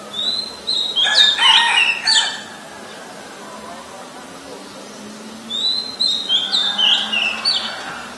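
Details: In Ubon Ratchathani, Thailand, on 23 December 2019, a very common resident Oriental magpie-robin sings, recorded with a Nikon P1000: short phrases of clear high whistles and rapid buzzy notes, two bursts about four seconds apart over a low steady hum.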